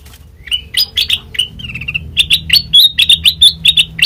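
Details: Sooty-headed bulbul lure sound for prompting other birds to answer: lively bright chirps, some slurred upward, followed by a steady run of quick clipped notes about four per second, with a faint low hum underneath.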